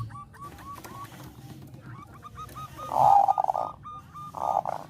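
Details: Zebra dove of the Bangkok type, melodious song used to raise breeding drive in other doves: a faint, broken opening, then two loud bursts of mellow rolling coos near the end, with low background hum.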